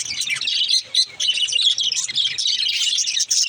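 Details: Baby budgerigar warbling: fast, high twittering chatter with short squeaky notes, broken by two brief pauses near one second and the end.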